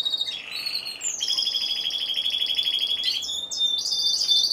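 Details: Timbrado Español canary, competition entrant in category C2 individual, November 2015: a rolling low rattle, then a long evenly pulsed metallic trill, switching to brighter, higher quick notes at the end.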